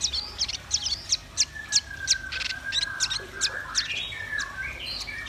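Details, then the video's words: Velvet-fronted nuthatch and white-rumped shama singing energetically: quick sharp high ticks nearly three per second, over long smooth lower whistles and sliding warbled phrases toward the end. "Suara kicau burung rambatan paruh merah dan murai batu gacor"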